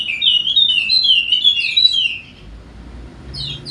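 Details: Wallacean white-eye of Sumbawa with golden head, singing as a lure for birds that will not sing: two seconds of rapid high sweet chattering warble, then a pause and a brief rising note.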